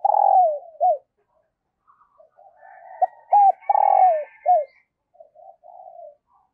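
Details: Spotted dove as a lure bird, cooing in thúc and gáy styles for newly arrived wild birds. A phrase ending opens the recording, then a full phrase: sharp double notes, a long throaty coo and a dropping note. Soft low coos trail off afterwards.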